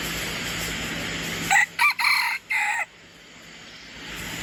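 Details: Short, abrupt crow from a red junglefowl decoy bird, four quick harsh bursts over about a second against a steady background hum.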